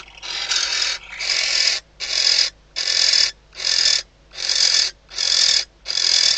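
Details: A female barn owl calls from inside a nest box in the Ebro Delta's Riet Vell reserve at night, shortly before hatching, when the male lands outside. Eight rasping, breathy hisses repeat roughly once a second.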